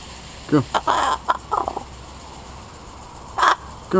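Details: A tame, free-flying pied crow in a neighbourhood comes closer to investigate a person imitating its noises and gives varied hoarse, gurgling and croaking notes with one longer harsh caw, seemingly chatting; it was fed a peach.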